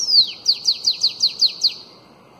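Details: Bananaquit song, canto belga alongado style, used to train young bananaquits: a drawn-out falling whistle, then seven sharp high down-slurred notes at an even pace.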